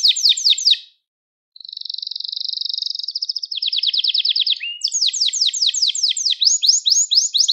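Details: Gloster canary singing, a recording meant to stimulate other canaries and train young canaries to sing: fast repeated trills of downward-sweeping notes, a steady buzzy roll, then rapid rattling phrases after a brief pause.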